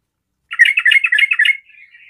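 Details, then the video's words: A 'garuda' sooty-headed bulbul singing actively to draw other bulbuls into song; one second of quick, bubbly chattering notes followed by a faint trailing warble, clean and close. "SEMUA TRUCUKAN PASTI IKUT BUNYI DENGAR SUARA TRUCUKAN GARUDA GACOR INI"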